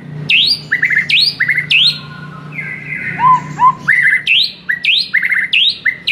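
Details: White-rumped shama master song for stirring a silent bird: loud high notes sweeping sharply upward, alternating with quick stuttered trills, regularly repeated, plus a brief lower warbled phrase midway and a constant low hum.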